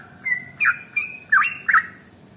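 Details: Trucukan, the yellow-vented bulbul, in a rapid 'ropel' song meant to prompt other birds to sing. Five quick, liquid chirps, some with a sharp slurred edge, come at roughly half-second intervals against a low background hiss.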